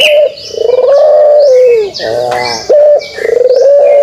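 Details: Pelung dove performing its kugeruk: a long, slightly wavering low coo that sinks at the close, a softer rolled note, then another coo begins. Scattered high bird chirps behind it.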